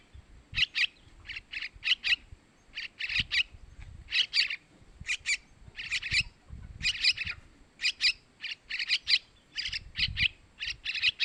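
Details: Begging of young sooty-headed bulbuls, played to lure males: a steady run of short, raspy chirps, mostly in pairs and triplets, repeating rapidly for the whole stretch with faint low background noise.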